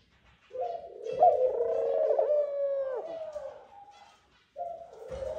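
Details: Courting Eurasian collared dove pair at the nest, the male calling his mate to it: a sustained, husky moaning note about three seconds long with a wavering middle, then a short pause and the call starting again.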